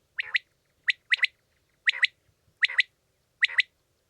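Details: Common quail (Coturnix coturnix) calling in clipped, liquid two- and three-note phrases, sharp and mid-pitched, repeated in quick succession with short pauses; no other sounds are heard.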